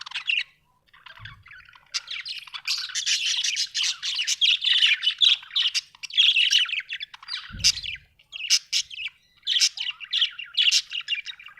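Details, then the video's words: Happy budgerigar chattering almost continuously, a dense stream of scratchy warbles, clicks and squeaky chirps with a few brief pauses and two low thumps. "Happy budgie chirping sound"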